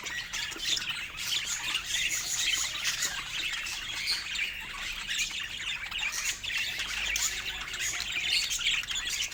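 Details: Several pet budgerigars sound off in cheerful, steady high-pitched twittering and squawky chatter, a thick continuous flock chorus with no gaps.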